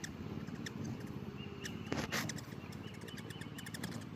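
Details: Hummingbirds feeding in a frenzy give rapid high chirps and ticks, with a louder burst of chirping near the middle, all over a continuous low wing hum.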